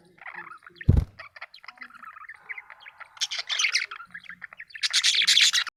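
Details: Happy pet budgerigar chattering in mixed scratchy and squawky notes, mid-pitched murmuring then louder high buzzy bursts, with one sharp thump near the start.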